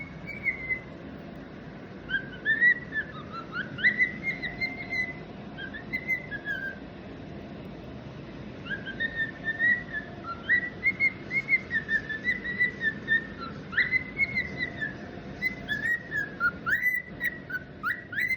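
A young cockatiel gives bright, warbling whistles with quick upward chirps, in phrases separated by short pauses.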